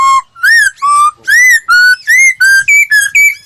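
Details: Laughingthrush song used to train another bird's voice: a string of rich, clear whistled notes, rising and falling, each about a quarter second, delivered steadily at roughly two notes per second with no other sounds.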